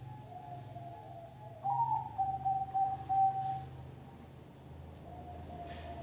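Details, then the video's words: Noklak nekung song from a kept zebra dove: a soft tone, then a loud phrase of a rising first note and about five evenly spaced clipped coos, with a steady low electrical hum throughout. "suara perkutut noklak nekung"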